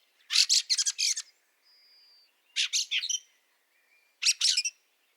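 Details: Fieldfare in snow at Liepāja, Latvia, in March 2023: harsh, rattling chattering bursts of four or five notes, repeated about every two seconds, with a faint thin whistle from another bird between them.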